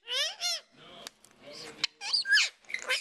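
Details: Indian Ringneck parakeet, a rescue bird up for adoption in Oregon, kept indoors, gives talking sounds: high harmonic voice-like syllables followed by sharp sweeping whistled notes and squeaks, with brief clicks between phrases.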